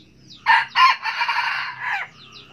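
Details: A wild junglefowl cock crows: two punchy, raspy notes, then a long, rough, even-toned phrase of over a second that sinks at the close, with light twittering of other birds before and after.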